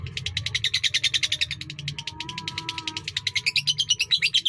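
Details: Lovebird in a long-duration song of the sakera style, a fast continuous chattering trill of rapid buzzy pulses, high and dense, with a thin sustained whistle running under the middle part.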